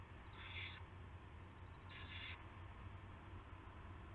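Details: Owl at the nest on March 9, 2016, at about 5:20 AM, during a rat delivery. Two harsh hissing bursts roughly 1.5 seconds apart, each about half a second long, are followed by quiet with a low droning background.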